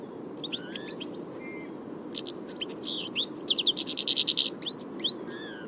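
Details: European Goldfinch singing on camera: a quick, varied twitter of high sliding and tinkling notes, a brief flat whistle near the start, then a dense buzzy trill building in the second half before more scattered chirps.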